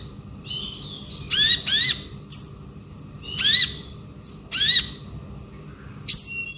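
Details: Singing male konin, ngobra style: loud, separate downward-sweeping notes in pairs and singles, with a few short high squeaks between them.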